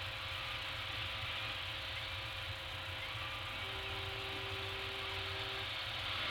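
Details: Constant rushing noise from a peregrine falcon nest camera on Anacapa Island, with a low steady hum and a brief flat tone partway through, and no animal calls.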